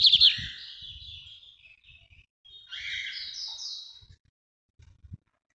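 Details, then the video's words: Northeast-style song of a lined seedeater (bigodinho), given as short high twittering and buzzy phrases separated by pauses, with faint low knocks in the background. "melhor canto para encarte de bigodinho"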